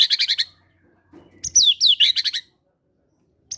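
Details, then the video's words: White-rumped shama, a caged fighter bird in full song with mimicked cinereous tit material, meant to coax quiet shamas into singing. A rapid run of sharp repeated chips is followed by swooping whistled slurs and a fast trill. "PANCINGAN MURAI BATU FIGHTER GACOR BONGKAR MATERI GELATIK BATU"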